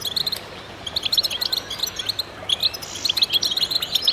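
A chorus of goldfinches sings together: bright, tinkling twitters and quick high chirps overlapping continuously, with brief liquid trills rising above the flock.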